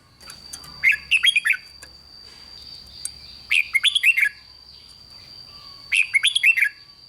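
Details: Red-whiskered bulbul song to excite other bulbuls: three jaunty phrases of rapid slurred whistles, roughly every two and a half seconds, over a steady high tone and faint low background hiss.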